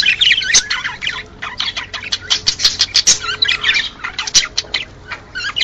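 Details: Male budgerigars keep up a busy, chattering warble of scratchy chirps and quick high squeaks, several birds overlapping without pause; a warble said to stimulate males and females to mate.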